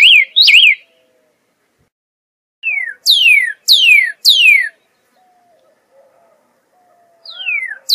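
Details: Two zigzag whistles from a Pyrrhuloxia lead into a run of three long, steeply falling slurred whistles. A quiet pause follows before one more descending note.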